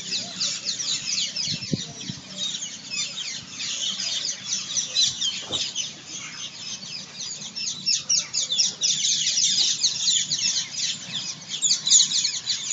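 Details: A large flock of rose-ringed parakeets at a roost fills the air with a dense, unbroken chorus of harsh, high screeches, many birds calling over one another.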